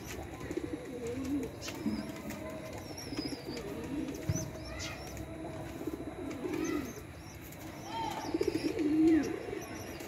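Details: Mother pigeon feeding her chick; low, wavering cooing murmurs recur through the recording, with soft rustling and thin high whistles from other birds in the background.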